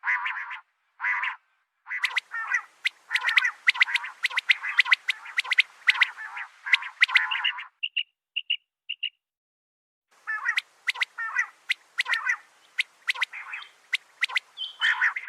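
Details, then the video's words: Female common quail calling: rapid runs of harsh, clicking notes, with a brief pause of three thin piping notes before the rattling bursts resume. "Batair Ki Awaz | Common quail Calling | Female Quail sounds"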